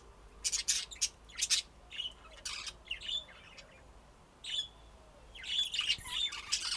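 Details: Budgerigar song: bursts of bright chirps and squawky warbling notes, some in quick pairs near the start, then a denser chattering run toward the end, over a low steady background hiss.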